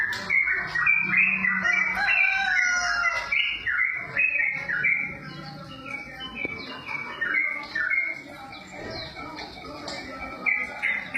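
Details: Java sparrow song: a dense, continuous run of short whistled and chirping notes, many clustered high and repeated rapidly in uneven bursts, with some lower warbling underneath.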